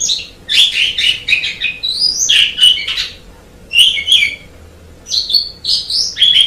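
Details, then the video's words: Black-collared starling delivering a varied, energetic song: rapid scratchy chatter mixed with clear whistles and upward swoops, in rhythmic phrases of about a second split by short pauses, no other sounds evident. "JALAK SUREN KICAU SUNGGUH MEMPESONA"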